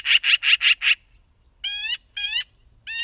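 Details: Five rapid, rasping chak notes rattle off in under a second from a magpie, then three drawn, nasal squawks with rich overtones follow after a short pause.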